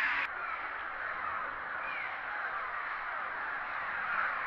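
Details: Disturbed cliff swallows at a crowded nesting colony under a bridge at Big Stone NWR, recorded on a GoPro held over the side; a softer, steady blur of many overlapping chirps with a few brief rising notes.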